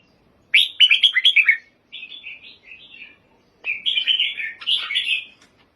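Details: Red-whiskered bulbul singing: bright, warbling phrases in quick clusters of slurred notes, then a softer, lower-volume stretch of short whistled phrases before another rich burst; clean background with no other sounds.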